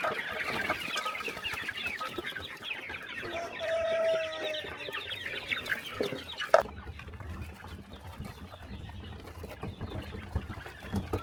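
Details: Flock of chickens at morning feeding on a small countryside farm; steady overlapping clucking for the first six seconds, one longer drawn note near four seconds, a sharp knock, then quieter low rumbling background.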